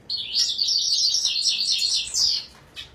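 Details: Red siskin (طاران فنزويلا) with a rapid, unbroken high-pitched twittering and buzzing warble lasting about two and a half seconds, ending in a single short chirp.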